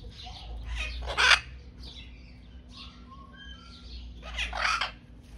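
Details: Chestnut-fronted macaw in Germany uttering coarse, grating squawks, with a loud burst near the start, softer harsh notes in between and another strong screech near the end, over a steady low hum.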